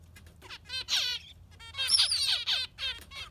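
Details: Yellow finch in full concert, pouring out rapid stacks of chattering, down-slurred notes with a high thin whistle mid-phrase, set over a faint low hum.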